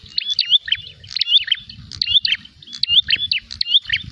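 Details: Prinia said to be fighting and seeking a rival delivers repeated bursts of high sharp chirps and whistled slurs roughly every second, over persistent low background rumbling.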